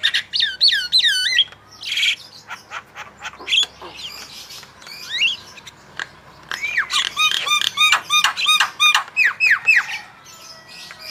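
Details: Active Javan myna song for training other birds to sing: stuttering whistled phrases, quick clicks and scattered chirps, building into a dense run of repeated bright rising whistles.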